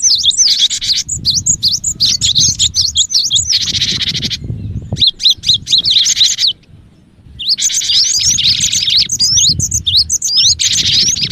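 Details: Lively cinereous tit used as bait for other birds: long runs of sharp rising and falling whistles alternate with raspy buzzy stretches, broken by one brief quiet gap, with faint low rumble beneath.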